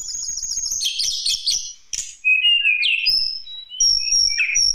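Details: Lesser shortwing singing as a lure for other birds: a high rapid stuttering trill, then thin piercing whistles and short warbled notes after a brief gap.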